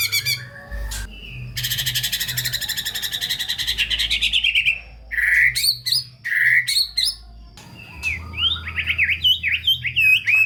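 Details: White-rumped shama singing a varied full song meant to provoke lazy, unmotivated shamas: a long fast buzzy trill lasting about three seconds, then loud short whistled notes and closing rising-and-falling whistles.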